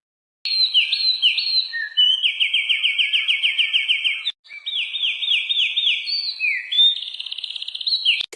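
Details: Winter wren (Troglodytes hiemalis) song: a long, rushing cascade of high, tinkling notes and rapid buzzy trills, pouring out almost without pause for eight seconds.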